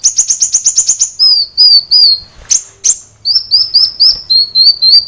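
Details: Sunbird singing nonstop on a recording meant for training caged birds: a fast burst of high chips, then slurred descending whistles and two sharp calls, then a rhythmic string of thin whistles.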